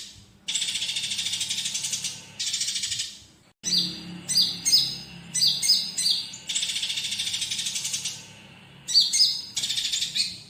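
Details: Olive-backed sunbird song used as a tutor track for other cage birds, mixed with fighting-sparrow material: long buzzy chattering trills of one to two seconds interleaved with quick clusters of thin, falling whistled notes.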